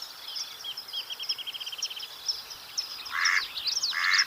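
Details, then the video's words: Mallard duck giving two loud, harsh, nasal quacks near the end, each about a third of a second long, after a stretch of busy high twittering and trilling songbirds in the background. "Mallard Duck Sound Effect"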